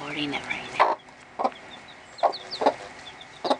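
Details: Hen inside a small coop with chicks two and a half days old, teaching them to eat and drink; short separated clucks at irregular intervals, with faint high chick peeps between.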